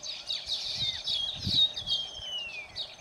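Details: A baya weaver at Phaltan, Satara, Maharashtra, India gives quick scratchy chirps, then a thin, drawn-out whistle slurring steadily downward over about a second, with soft low rustles beneath.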